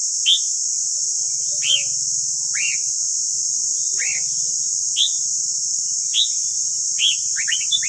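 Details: Red-whiskered bulbul song for voice training: single loud whistled notes that fall in pitch, repeated about every second, ending in a quick run of chirps, with a faint low hum and high hiss.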